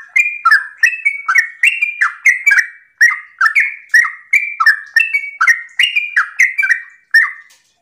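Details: Yellow-vented bulbul in continuous morning ropel song, meant to draw other bulbuls into singing. Unbroken chain of rich, liquid, warbled notes, each rising then dropping, repeated about every half second for the whole stretch.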